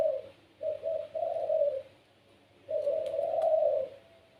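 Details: Spotted dove of the puter pelung type, kept as a pet, giving its gacor song that prompts other doves to answer. Two short clipped coos lead into a longer rolling note, then a drawn-out swelling coo.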